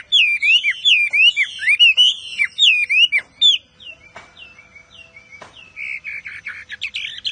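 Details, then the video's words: Intense Chinese Hwamei song: a fast series of loud looping whistles for three seconds, then softer scattered notes and a final buzzy, warbled phrase. Occasional clicks are heard. "Họa Mi Hót Cực Căng"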